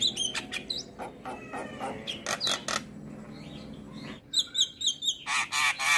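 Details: Black-winged myna singing in a morning training recording for mynas: clusters of harsh chattering notes, a quieter pause, then loud repeated buzzy bursts with whistled overtones.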